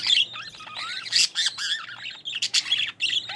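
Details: Mother budgerigar feeding her growing chicks in the nest, green-line pair with an opaline-split youngster; rapid grating squeaks and rasps tumble over one another, with a few short whistled upslurs mixed in.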